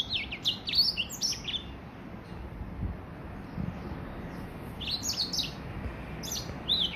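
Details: Hybrid finch, Gray Finch x Lemon Breasted, three months old, delivering its first complete song in short bursts of high twittering notes separated by quiet pauses of a few seconds.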